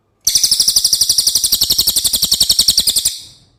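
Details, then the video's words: Cililin song for training contest birds: one steady, rapid, high buzzy trill of sharp repeated notes, roughly eight per second, for about three seconds, then fading. "suara asli burung cililin"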